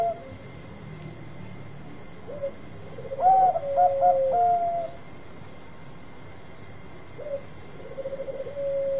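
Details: Bangkok zebra dove singing as a lure: quiet rolling coos, then a louder cluster of quick bouncing notes ending in a level tone, and more soft pulsed coos afterwards, over a faint hum.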